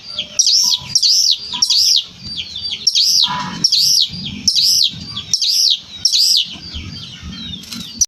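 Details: Long-tailed shrike in lively, filler-rich song: high arched notes rising then falling, repeated in steady series about twice a second, with softer chatter between phrases and light low background noise.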